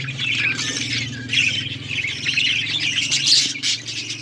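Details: Australian parrots giving a dense wash of high chirps and chatter, several birds calling over each other above a constant low droning hum.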